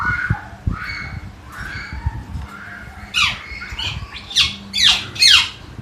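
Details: Common hill myna at Jatiasih, Bekasi, first quiet and mumbling, then four loud, piercing squawks in quick succession, each dropping steeply in pitch, over a faint low hum.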